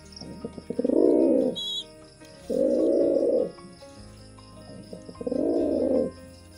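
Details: Pigeon cooing during mating: three low, broad, throaty coos, each lasting about a second, spaced roughly two seconds apart, with faint background hum between them.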